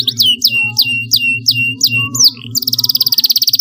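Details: Singing canary, used to stimulate learning in young birds: seven falling whistled chirps spaced about a third of a second apart, then a rapid buzzy trill. A low hum runs underneath throughout.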